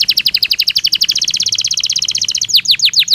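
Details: Belgian canary training stimulus song: a very rapid, even trill of bright high notes for over two seconds, then a few slower, louder downslurred whistles.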